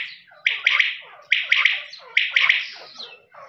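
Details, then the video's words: Quail voice: a loud, rasping call of three quick notes, given three times about once a second, with softer lower chirps between the phrases. "Voice of quail's | lawa birds"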